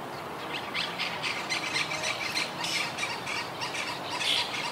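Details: Wild Monk parakeet colony living high in trees, a group that lost about half its members to hurricane Irma in 2017 and has been regrouping since. Harsh, buzzy squawks overlap in a continuous, busy chorus with steady outdoor background.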